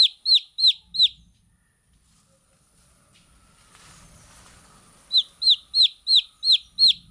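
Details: Chicks of domestic chicken giving high, down-slurred peeps: four rapid notes, a pause of several seconds with soft background hiss, then a steady run of six more.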